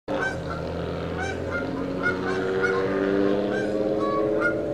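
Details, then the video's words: A flock of Canada geese flies over Big Fishweir Creek in late afternoon on 29 September 2015, a dense chorus of overlapping nasal honks several per second over a steady low rumble. "Canadian Geese flying over"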